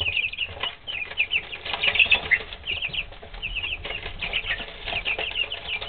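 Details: Pet chicken chicks three weeks old, a flock peeping together: dense, overlapping high chirps pour out without pause, some sliding downward, over a low rumbling background.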